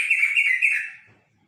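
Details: One brief phrase of bubbly, chattering notes from a yellow-vented bulbul, lasting about a second and fading into silence.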